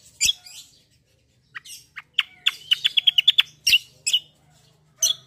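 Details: Black-winged myna (cucak kombo) in a sparring 'ngeroll' song; scratchy harsh calls open, followed by a quick even run of about ten clipped notes, then further rasping bursts.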